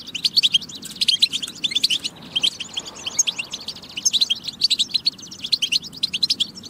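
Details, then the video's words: European goldfinch song for prompting goldfinches to sing: lively tinkling phrases of rapid chirps and short trills, pausing briefly near the middle, over a steady low hum. "بتبة فتاكة لتحفيز الحسون على التغريد والجهوزية"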